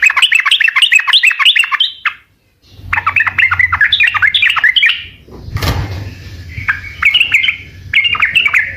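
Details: Sooty-headed bulbul in lively gacor singing, meant to make other birds answer: fast runs of chattering, bubbly notes, then a short silence and two more chattering bursts broken by a brief noisy thump, with a faint low hum.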